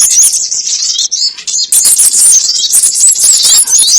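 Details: Lure recording of the sogon ontong bird for trapping: dense, very high, squeaky chatter that briefly eases around the middle, then resumes more strongly with thin whistled squeaks.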